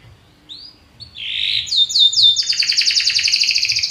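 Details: Belgian canary starting its song with a few soft rising notes and a buzzy roll, building into a loud, fast rattling trill.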